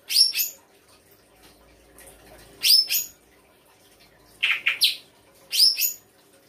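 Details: Songbird delivering 'isian' fill-in song: sharp, high, slurred double notes spaced a couple of seconds apart, with a lower buzzy three-note burst in between, against a quiet background.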